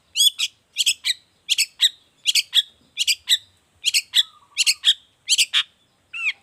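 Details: Long-tailed shrike repeating paired harsh, scratchy notes roughly every seven tenths of a second, its song used to tutor and provoke other shrikes, with a short low warble near the end.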